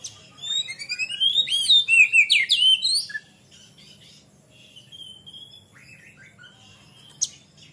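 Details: Oriental magpie-robin singing in full, lively ngeplong style, played as a lure for young birds. A burst of rich whistled, rising and falling phrases lasts three seconds, then faint quiet notes and a sharp click near the end.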